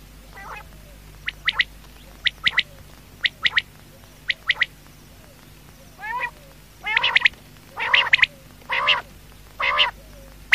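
Quail calling at night: sharp, high ticking notes in quick pairs and triplets, then louder, harsh, rasping squawks.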